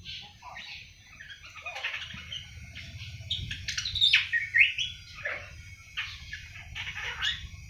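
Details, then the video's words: Seven-month-old awar-awar bird starting its ngriwik singing: irregular high chirps and squeaky notes, a few sharp whistled accents midway, over a faint low rumble. "Burung awar awar 7 bulan mulai ngriwik"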